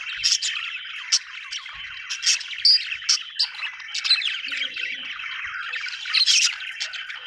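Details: Budgies twittering, high busy warbles and sharp ticking chirps from several birds, with a brief lower murmur in the background.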